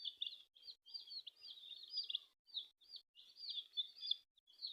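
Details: Several colourful chicks cheeping softly in a group, high thin peeps tumbling over each other in short runs with brief gaps of quiet.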